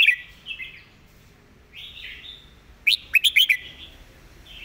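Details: Red-whiskered bulbul master song, recorded clearly for teaching other birds: gentle gliding warbles, then a loud burst of four or five sharp, ringing notes at about three seconds, and more soft warbling after.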